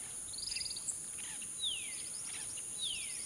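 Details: Golden-fronted Woodpecker at Hill Bank Field Station, a male working on possible nesting holes later joined by the female, gives a quick stuttering run of high notes, then two sharp descending slurred calls, over a steady high insect drone.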